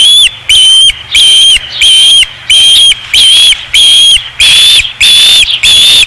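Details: Repeated piercing whistles from an osprey at its nest at Dunrovin Ranch, 5 August 2016: steady, evenly spaced high cries, about ten in six seconds, each short and slightly rising, very loud and close.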